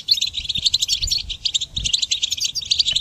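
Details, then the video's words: Song of a goldfinch played to train songbirds: dense, quick chattering high notes mixing clear tinkles with slurred buzzy trills, almost without pause, over a little low rumble. "Goldfinch Song Training"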